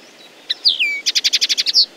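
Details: Common linnet song: a few high twittering notes and a falling slurred whistle, then a fast even series of about nine dry chirps ending in a bright high note, over faint background hiss.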